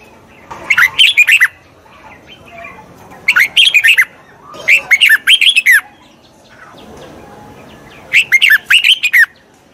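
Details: Wild-caught bird training song of a red-whiskered bulbul: four rich whistled phrases of rapid, chirpy notes spaced a few seconds apart over soft background hiss.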